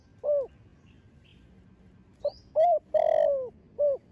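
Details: Spotted dove, a young bird in the thổ đồng voice style, descended from a thổ sấm bird, cooing to stimulate other doves: a clipped short note, then two mid-pitched coos, a long drawn descending coo and a final rounded coo.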